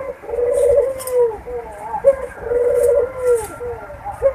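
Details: Repeated Barbary dove mating coos, a lure to make doves ready to breed: long, even, low notes each ending in a downward slide, separated by brief sharp notes, with scattered soft clicks.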